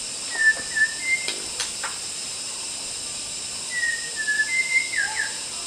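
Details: Free-living white-rumped shama in Kalimantan forest: a short phrase of three whistled notes, a pause with clicks, then a longer whistled phrase of level and swooping notes, all over a constant high-pitched hiss.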